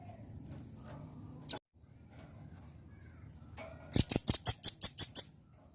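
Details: Velvet-fronted nuthatch song used to coax a response from other birds: after a low rumbling background and a few isolated ticks, a rapid run of eight sharp, high, piercing chip notes.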